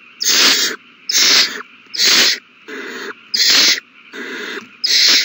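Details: Owl babies being fed a big meal, recorded March 27, 2020: loud rasping hiss-screeches, each about half a second long, come roughly once per second in a steady series with brief quiet between.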